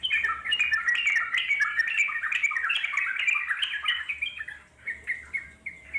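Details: Wild trucuk singing, a fast bubbly chattering stream of warbled notes, loud and continuous for four seconds, then thinning into short separated phrases.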